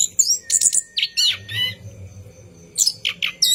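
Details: Night song of a caged orange-headed thrush, used as a lure for training other birds: bursts of bright whistles and buzzy chirps, a sustained thin tone, a brief lull, then quick high notes again.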